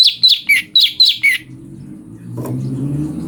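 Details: Cucak cungko (brown-breasted bulbul) song for training magpie-robins: six quick, evenly spaced chirps, some sliding downward, then the bird stops and a low rumbling background noise rises.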